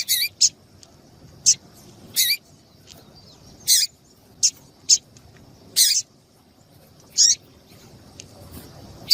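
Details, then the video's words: Female double-collared seedeater calling, used by breeders to get males singing before song contests: sharp, very high, harsh chips, about ten of them, irregularly spaced over nine seconds. There is near silence between the notes. "Piado de fêmea de papa capim vai deixar seu papa capim cantando Muito RÁPIDO"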